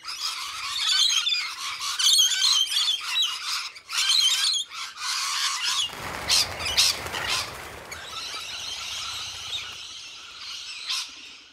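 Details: Several wild rainbow lorikeets at a winter supplementary feeding, July 2014; rapid, grating squawks and squeals in quick bursts, interrupted midway by about two seconds of broad rustling or flapping noise, then softer continuous chatter.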